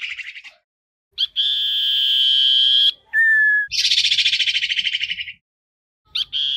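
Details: Common iora; song; calling the flock together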